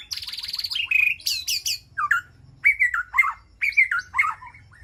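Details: White-rumped shama calling to its flock inside a quiet aviary: a buzzy trill, then high sharp upslurs, followed by several warbled, wavering whistled phrases separated by short pauses.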